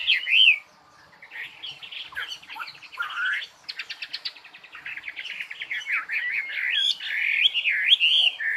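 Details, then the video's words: Songbird singing a varied, warbled song of rising and falling whistled phrases, with a rapid rattling trill near the middle and quick chattering notes, against a quiet background. "Chim hót"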